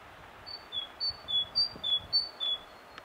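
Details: Singing great tit, filmed on a Sony HDR-PJ10: a steady series of paired whistled notes, each high note dropping to a lower one, about four pairs in a row, with a soft tick near the end.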